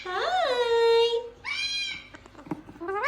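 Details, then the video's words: A male pet gang-gang cockatoo imitates human speech: a rising, drawn-out word held on one steady note, then a shorter second phrase, a few clicks, and another rising word. "Talking gang gang cockatoo"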